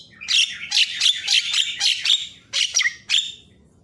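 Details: Javan myna giving an energetic, varied tutoring song meant to agitate other mynas: continuous harsh, scratchy chattering notes in quick succession, then a few spaced squawks before fading.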